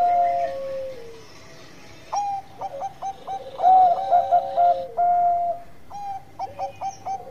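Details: Bangkok-type zebra dove singing energetically as a lure song: short clipped coo notes in quick bursts, long level coos, and lower drawn-out notes that slide down, with overlapping voices at two pitch levels and quiet gaps between phrases.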